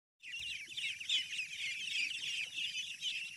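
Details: Ducklings on a farm, many calling together in a dense chorus of high, thin peeps that overlap continuously without pause, with a faint low rumble in the background.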